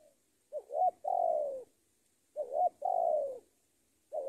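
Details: Spotted dove decoy bird giving a lure call meant to summon a rival: two phrases about two seconds apart, each two short rising notes then a long, purring coo sliding downward; quiet background.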